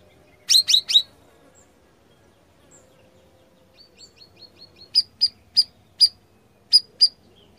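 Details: Sooty-headed bulbul singing sharp bursts, meant to draw answering birds when played in the afternoon. A quick triple of high, down-slurred notes is followed by a run of thin, clipped, evenly spaced high notes.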